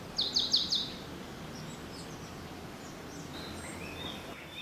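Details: African Pied Wagtail in Gisenyi, Rwanda, March 2013: four quick, sharp chirped notes at the start, then fainter high twitters over a steady background hiss.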